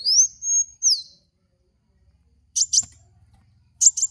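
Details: High, thin slurred whistles rising and falling from Van Hasselt's sunbird (kolibri wulung), a lure song for training cage birds, followed after a pause by short clusters of sharp, high chips.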